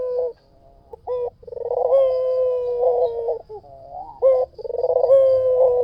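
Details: Full-voiced song of a white dove: short clipped coos, then a bubbling rolled trill leading into a long, level, sustained coo. A fresh phrase begins with an abrupt higher note. Quiet background.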